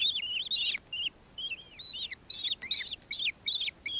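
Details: Nankeen kestrel, Victoria, Australia, early December 2024: spaced, thin squealing notes, some drawn out and wavering, others short and sharp, in irregular groups separated by small silences.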